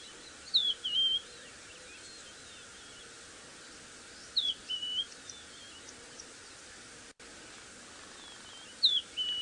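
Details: A Rufous-naped Lark, fluffed up on a rock on a warm sunrise morning, 15 Nov 2017, in Sabi Sand, South Africa, sings a short whistled phrase, sliding then level, about every four seconds; many others sing in the background.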